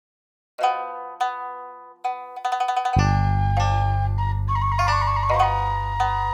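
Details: Mandolin-like plucked notes start after a short silence, then build into a steady strummed passage over a low drone, with no animal voices.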